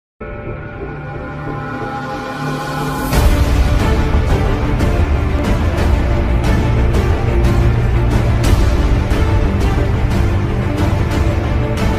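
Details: Dark, dramatic music with a heavy beat and sustained tones swells after a quiet opening, with no animal voice heard.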